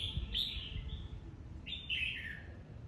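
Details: Red-whiskered bulbul, an old wild-caught bird, in competitive singing of bọng type: two clear whistled phrases, each rising then sliding down, over a steady background hiss and low rumble.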